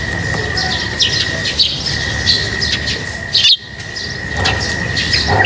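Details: Lovebirds at feeding time give scattered high, thin chirps and tweets, spaced irregularly over a constant high electrical-like hum, with a brief rustle near the end.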